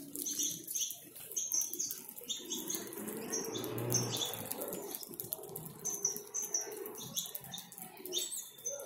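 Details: A flock of over 100 free saffron finches being fed in a backyard fills the air with overlapping high, bright chirps and short trills, with a soft rush of flapping wings underneath.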